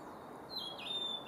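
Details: Male blue-and-white flycatcher at Kawaguchiko Field Center, Japan, 4 May 2017, giving a brief high whistled phrase with a sliding downward note, followed by a thin sustained whistle, against quiet low rumble.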